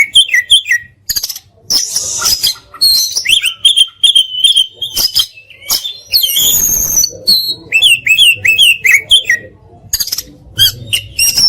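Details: Oriental magpie-robin (kacer) singing a rich masteran song full of fill-ins and rapid bursts: high whistled notes and sweeping slurs, a harsh rasping burst midway, then quick repeated chirped phrases.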